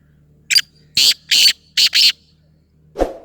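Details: Black Francolin (kala teetar) calling close by: a short grating note, then four loud, harsh, scratchy notes in quick succession, followed by a dull thump.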